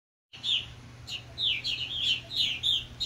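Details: Purple martins encouraging newly fledged young give rich, throaty chirps in quick bursts, several notes a second, slurring up and down over a faint low hum.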